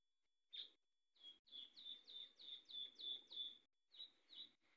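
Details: Variable sunbird giving a quick series of high, thin, down-slurred chirps, about eight in a fast run, then a short pause and two more, with faint low background rustle.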